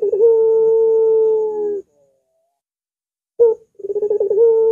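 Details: Barbary dove coo, long and curving, meant to train and lure other doves: a drawn-out steady hum almost two seconds long, silence, then a sharp note and fast stuttering roll starting the next phrase.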